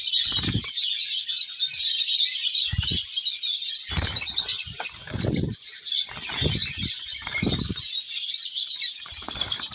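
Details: Chicks of colour lovebirds chattering nonstop in high, rasping chirps, broken every second or two by low dull thumps and wing-flapping bursts.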